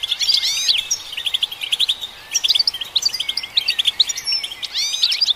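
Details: European goldfinch singing to stimulate other goldfinches: bursts of quick upward-sweeping chirps and tinkling notes separated by short twittered runs, lively and clear.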